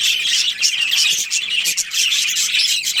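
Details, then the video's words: Budgerigars of a colony with a breeding pair, chirping in a continuous high chatter of buzzy, scratchy notes and brief squeals. "Cute Budgies Chirping Sounds"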